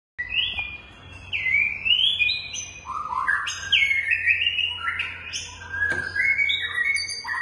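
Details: A long-tailed White-rumped shama from a captive breeding collection sings a rich, continuous run of varied whistles and slurred phrases, rising and falling, with sharp high notes and a faint low hum behind.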